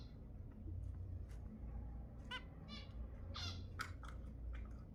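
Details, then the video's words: Zebra finch calls used to encourage breeding: a few separate nasal, harmonic beeps spaced through a few seconds against a constant low background hum. "تحفيز الزيبرا على التزاوج 10 دقائق من أصوات الزيبرا المحفزة"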